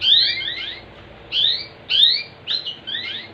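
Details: Domestic canary sound used to prompt other canaries to sing. High, bright, downslurred chirps come in quick clusters, separated by short pauses, with a clean quiet background.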